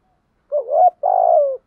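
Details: Spotted dove lure call: a wavering, rising coo, then a long buzzy rolling coo that eases downward at the end, clean and close.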